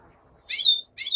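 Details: Black-headed goldfinch during daytime singing: two bright, buzzy twittering notes, each ending in a thin clear whistle, about half a second apart.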